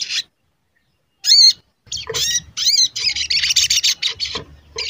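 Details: Sogon lure call for drawing out and exciting other sogon: a short burst, a pause, a loud wavering squeaky phrase, then a run of rapid high chattering notes with rising and falling inflections.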